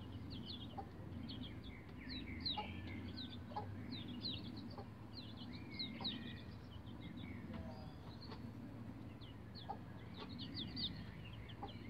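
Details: A group of young bantam Rhode Island Red chicks, about eleven days old, climbing a chicken ladder, keeps up a dense chorus of high, short peeps over a steady low rumble.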